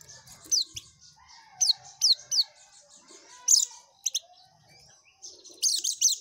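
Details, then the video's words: Oriental white-eye with ngekek song: a string of high, quick downslurred chirps in pairs, then louder shrill twittering bursts, with faint lower warbling sounds underneath. "Burung pleci ngekek"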